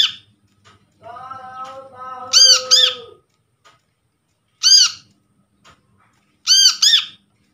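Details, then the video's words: Brown-throated sunbird lure from a trapped bird: after a lower, steady tonal hum with stepped pitch, loud double arched ringing notes sound three times at roughly two-second gaps. "PANCINGAN BURUNG KOLIBRI KELAPA Bahan hasil Pikatan ,mengatasi korlap macet bunyi"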